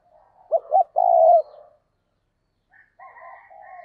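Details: Decoy spotted dove of the 'giọng thổ' voice style cooing to lure other doves: two short clipped notes then one long, slightly falling coo, followed after a pause by faint softer cooing.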